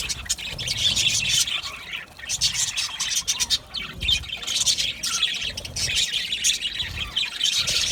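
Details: Aviary colony of budgerigars chattering nonstop, a thick wash of high scratchy chirps and warbles with quick clicky bursts, plus low thumps and faint background murmur.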